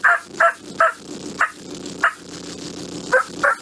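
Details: Wild Turkey cackle, typically given when flying down from the roost or a hen excited at seeing a tom, in North Carolina: seven sharp clucking notes in an uneven, hurried series, with a faint low murmur underneath.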